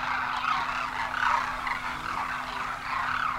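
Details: Demoiselle cranes, known locally as Koonj, in a large migratory flock landing at a water hole in Khichan, Rajasthan, India, in winter after crossing the Himalaya; dense overlapping croaky rolling calls swell and fade, over a steady low hum.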